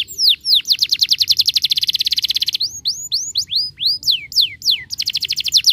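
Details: Canary song played to make canaries sing and roll: a fast buzzy rolling trill, then separate falling whistled notes, ending in another rapid trill.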